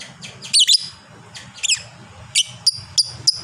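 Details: Fighter lovebird valued for long ngekek chatter, with squeaky double bursts followed by a quickening run of short shrill chirps, over low background hum.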